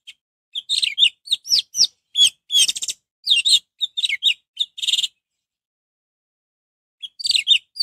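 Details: Orange-headed thrush singing continuously to rouse other birds into song: a long run of varied whistled notes and buzzy chirps for about four seconds, a pause, then the phrase resumes.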